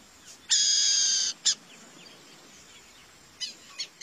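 Burrowing Owl gives a harsh, buzzy screech nearly a second long, then a brief rasp and two fainter scratchy notes near the end.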